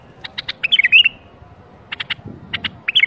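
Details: Bulbul song meant to start other bulbuls singing: bursts of sharp clicks, then a brief fluty warbled flourish, more click pairs, and a second warbling phrase starting at the close, over a quiet low hum.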